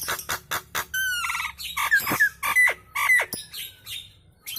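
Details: Nias hill myna giving kemrewek chattering song, said to make other birds sing along: loud harsh squawks and sharp clicks, then clear whistled notes and short buzzy trills in rapid irregular succession, about two per second.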